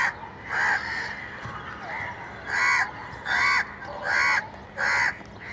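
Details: Repeated hoarse caws from a crow, spaced roughly every second with short gaps between calls, rasping and slightly falling in pitch, with quiet ambient noise behind.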